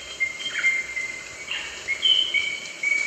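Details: Rosella piping thin, drawn-out whistles that hold steady and then jump to a slightly different pitch, over a soft, hissy background.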